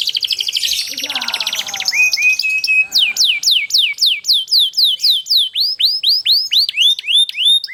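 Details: Rolling canary song used to coax other canaries to sing: a fast buzzing trill and a short flat note, then steady repeated hooked whistles roughly three per second, crisp and loud.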